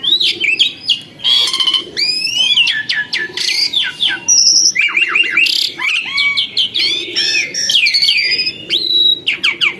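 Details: Formerly wild, now tame captive starling singing loudly: a dense, nonstop medley of sweeping whistles, sharp upslurs, rasping notes and chattering trills with barely any pause.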